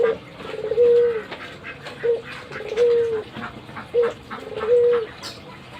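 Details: Pet albino Barbary dove in a lively nodding display, cooing three times in regular succession: a clipped upward hoot, then a prolonged, even coo trailing lower at the end.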